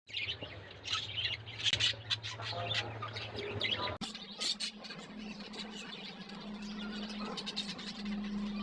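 Budgerigars chatter with rapid, high chirps and warbles over a steady low hum.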